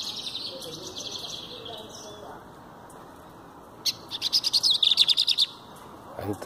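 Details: A lined seedeater sings while held in the hand: a soft buzzy opening, a pause, then a fast run of loud, clipped, high trill notes lasting over a second.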